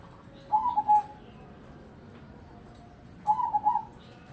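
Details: Crossbred zebra dove giving two short bursts of rolling, bubbly coos about three seconds apart, each a quick stuttered run of mellow notes, with faint background noise between phrases.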